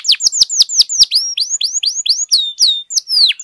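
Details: Loud canary song for stirring other canaries to sing: sharp downward-swept notes at a quick steady beat, then a varied run of arching, looping whistles.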